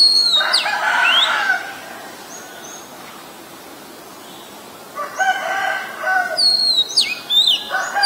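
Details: An Oriental magpie-robin, a very common resident at Ubon Ratchathani, Thailand, recorded 23 December 2019, sings varied phrases of clear, high whistles mixed with harsher buzzy notes, pausing several seconds before starting again.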